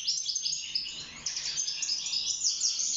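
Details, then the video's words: Wild European goldfinch in a cage singing for mating and nest building, pouring out a rapid, bright twittering of high tinkling and buzzy notes without a break. "روعة تغريد طائر الحسون البري (المقنين) داخل السلاكة"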